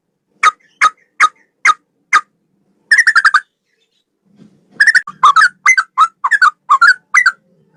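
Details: Male sooty-headed bulbul giving song resembling the straw-headed bulbul, for training songbirds: a run of single clear notes, a brief rapid trill, a short silence, then lively bubbly phrases in quick succession.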